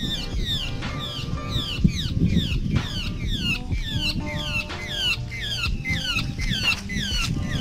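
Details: Large grey babbler: a steady series of harsh, descending squeaky notes, about two per second, overlapping as if from several birds, over low rumbling background noise.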